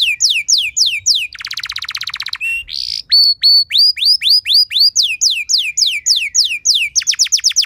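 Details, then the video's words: Canary training song with luxurious phrasing, meant to provoke other canaries into singing: repeated high down-slurred whistles, a buzzy rattling trill, sharp chips, then fast rising-falling whistled notes in rapid series. "Materan Burung Kenari Lagu Istimewa! Cengkok Mewah Bikin Kenari lain Ikut Terpancing jadi Gacor"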